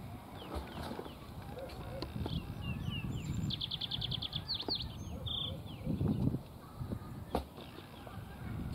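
Lark Sparrow giving thin high chips and a quick burst of rapid repeated notes, with scattered calls throughout over a steady low wind rumble.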